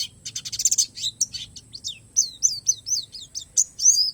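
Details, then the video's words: Oriental white-eye, Palas Borneo variety, opening with a rapid buzzy trill of very high notes, then a string of clear, slurred chirps that rise and fall, spaced about a quarter second apart. "SUARA PLECI PALAS BORNEO"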